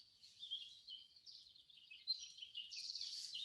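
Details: An American robin, recorded at sunrise in winter by an automated recorder, gives clear, high, warbled phrases at an even pace. A spotted towhee joins near the end with a brighter buzzy trill over faint background hiss.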